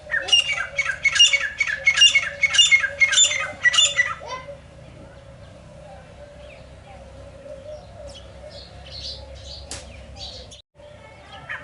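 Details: Francolin calling in the morning: a loud run of about seven harsh, squawking notes in quick succession over four seconds, then quieter faint chirps from other birds over a steady low hum.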